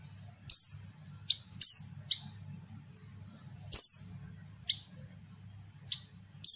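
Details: Female white-eye calling, used to provoke males to sing, giving high, thin descending chirps, some doubled, at irregular intervals, with a low hum underneath.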